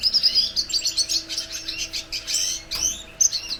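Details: Red siskin giving a bright, very high song of sharp whistled notes and buzzy trills, briefly softer mid-phrase, then closing with clear piercing chirps; low hum faintly present.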